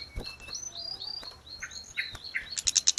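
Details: Grey-cheeked bulbul song kept as training audio for cage birds: thin whistled notes around mid-high pitch, short slurred phrases and clicks, then a loud burst of rapid, sharp chirps near the end over faint low background hum.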